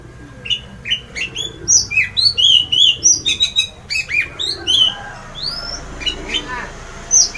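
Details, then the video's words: Loud, full song of an orange-headed thrush, meant to set other birds singing: a rapid run of varied whistled and chirping notes, some rising and some falling, repeated several times each second. "semua jenis burung pasti emosi dan ikut GACOR! mendengar ngeplong keras anis merah ini"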